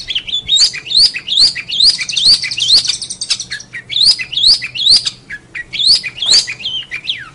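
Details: Long-tailed shrike song used as a training recording for other songbirds: high, sharply rising whistled notes repeated in quick series, with short pauses between bursts and a few scratchy notes mixed in.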